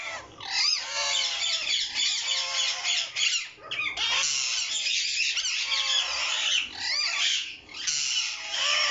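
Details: Green rose-ringed parakeets, a captive breeding pair with their chicks: dense, continuous harsh squawking and screeching from several birds overlapping, with a few brief dips in volume.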